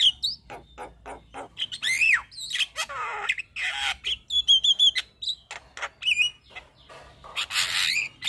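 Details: White-eyed Javan myna in full, lively song packed with inserted phrases, nodding as it sings: a dense run of dry clicks, harsh grating bursts and clear looping whistles, loud throughout.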